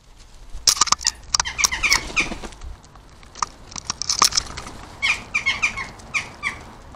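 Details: Western jackdaws feeding on a garden bird table give short, sharp 'chak' calls in scattered bursts, some falling in pitch, mixed with rapid tapping and pecking clicks.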